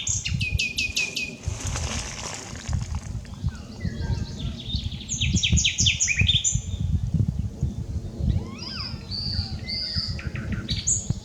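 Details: Common nightingale singing, unedited recording: rapid repeated notes and sharp whistled phrases, then fast trills and varied chattering strophes high in pitch, over a steady low rumbling background.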